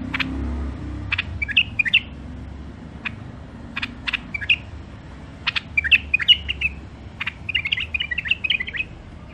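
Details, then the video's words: Wild-caught songbirds kept in cages in Mandali, Iraq, for sale: scattered sharp chirps with short, looping warbled whistles, ending in a fast run of linked whistled notes. Steady low hum throughout. "تغريد مخاليف وحشيه كاع منفذ مندلي"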